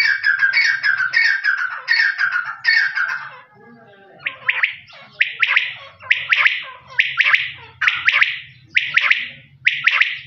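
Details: Quail starting with a run of rougher, chattering multi-note bursts, then after a short pause giving a steady series of crisp three-note whistled phrases about once per second, with faint low hum in the background.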